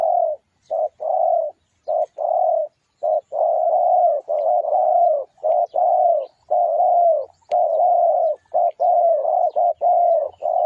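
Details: Spotted dove song used as a lure call to draw wild doves: dense, almost continuous run of low, mellow coos that overlap and repeat rapidly, with brief gaps between bursts and no other clear sounds.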